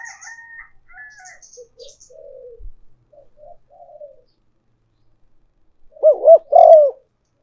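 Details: Spotted dove decoy call for luring: high chirps from other birds at first, then soft low coo phrases with short notes and longer croons, and finally a loud close burst of arched coos.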